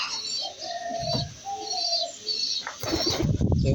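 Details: Two white pigeons: a series of smooth, level cooing notes in the first two seconds, then loud flapping wings and rustling dominate the second half, with high chirps overhead.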